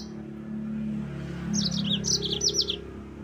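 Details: Yellow-fronted canary heard in a brief high, rapid trilled phrase of rolling song meant to provoke rivals, sung over a steady low hum.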